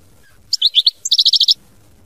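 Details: ['Brief European goldfinch phrase in the mama binette style: a few tinkling, sliding chirps followed by a crisp, evenly repeated trill of about seven notes.']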